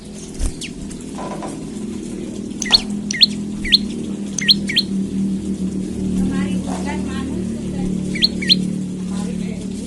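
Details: Olive-backed tailorbird calling in the morning, used as a lure to get other tailorbirds singing: scattered sharp, high chirps in short bursts of two or three notes over steady low hum and background voices.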